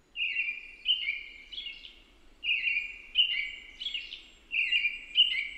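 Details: An American robin caroling: rich whistled phrases in groups of three, each group about two seconds long, with a slight echo and soft background noise.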